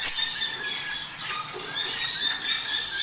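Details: Budgerigar mating sound, played to prepare male and female budgies and push them to breed: a dense flock chatter of high squeaks and warbles, with a loud squawk at the very start.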